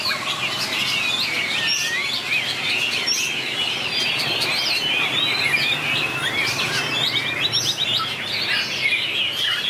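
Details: Contest singing by a white-rumped shama, called murai batu gacor: long run of fluting whistles and twittering trills, phrases shifting constantly, over continuous low noise.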